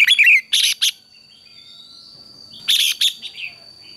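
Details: Red-whiskered bulbul morning competition song: a quick warbled phrase and harsh, broad chirps, a pause of over a second, then more rasping chirps and a soft trailing note, with a steady whine underneath.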